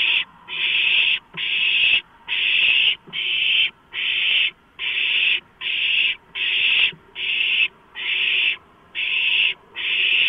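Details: Owlets with beaks and talons on a delivered large rodent, 23 March 2015, night. A long run of about thirteen rasping hissed screeches, tightly spaced and fairly regular, with faint scuffling sounds underneath.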